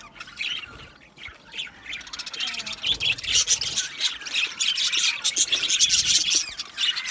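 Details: Budgerigar colony in an aviary, chatter starting quieter and building into dense, fast high warbling and rapid chirps from many birds at once.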